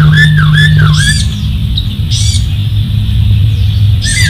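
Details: Masked laughingthrush (Pterorhynchus perspicillatus) song: a few slurred, wavering whistles, then short harsh squawky bursts at intervals, over a steady low hum.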